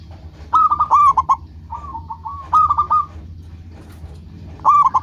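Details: Local zebra dove in full song, used as a lure to call other birds: three stuttering, rolling cooing phrases with a softer linking phrase between them, and a faint low background rumble.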